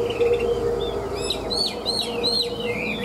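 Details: Tame Chinese hwamei, caged, in ngũ trường song style: a few bright, sharply rising and falling whistled notes after a brief quiet start, over a steady low hum.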